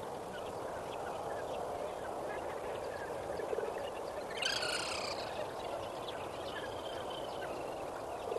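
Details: At sunrise at Kamfers Dam on 18 May 2024, a lesser flamingo gives a single nasal, goose-like honk over a steady low murmur of a distant flock and soft background noise.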